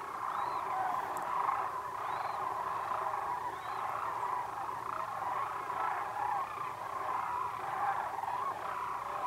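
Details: Wintering flock of Sandhill Cranes, part of tens of thousands that winter in Sulphur Springs Valley near Willcox, Arizona, slowly marching across a pond at Whitewater Draw; a dense, continuous chorus of rolling, overlapping calls from many birds, with no pauses.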